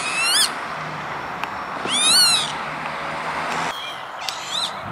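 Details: Northern lapwing at an industrial site near Veenendaal in the Netherlands, 28 May 2013, giving slurred wheezy calls with an arched pitch contour, plus a fainter later call and a few sharp clicks.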